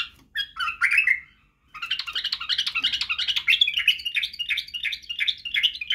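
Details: Song of a white-eared bulbul, known locally as Badrawi, used to train chicks in singing and barwaz. A short warble is followed by a pause, then a sustained stream of quick, rhythmic rising-and-falling notes.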